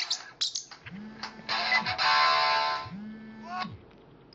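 A parrotlet gives sharp, buzzy chirps in quick bursts, answering a ringing phone's harsh electronic tone.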